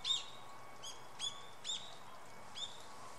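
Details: Female red-flanked bluetail, wild: short thin high calls, each a sharp onset then a brief flat note, given five times in three seconds at irregular intervals over a steady low background hum.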